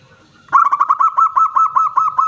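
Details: Local zebra dove giving a loud kerot nguwor song, used as a lure so other doves will call: a rapid string of mid-pitched rolling coo notes, about five per second.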